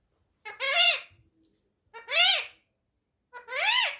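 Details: An Indian ringneck parakeet kept as a pet repeats "mommy" to its owner three times, roughly every one and a half seconds. Each shrill, harmonic, speech-like phrase swoops up and then down, in a quiet room.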